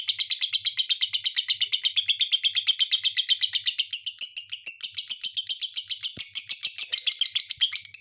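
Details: Lovebird singing a sustained, rapid chatter of high, buzzy chirps, the notes rising in pitch during the second half while keeping a fast, steady rhythm.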